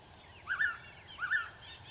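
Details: Blue-winged pitta whistling its paired call twice: short upslurred note then a sharper clear note, the phrase repeating after under a second, with steady high hiss in the background.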